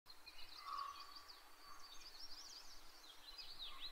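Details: Yellow-rumped warbler song: a loose, warbling run of quick high notes that sweeps up and down, carrying on for several seconds. A lower, steady whistled tone sounds beneath it, over faint background hiss.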